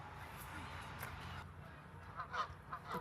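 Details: Geese at Lake Joanis give a few short honks near the end over a low, steady rumble with faint voices; these are sentry honks signalling that something is coming or it is time to move on.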